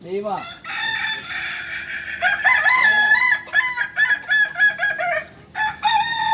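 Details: Kukuak balenggek roosters at a practice crowing contest in Panyakalan, Solok: long harmonic crows broken into many stepped, wavering syllables. Several birds overlap and alternate, with clucks between the crows.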